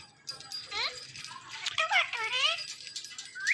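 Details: Indian ringneck parakeets, a male and female pair kept as pets, in morning sounds: wavering, speech-like whistled notes rising and falling in short phrases, with a human voice repeating meow nearby.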